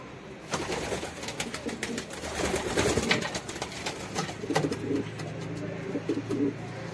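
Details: Mating pigeons: rustling and wing-flap noise at first, then a run of low, throaty coos pulsing in short phrases toward the end.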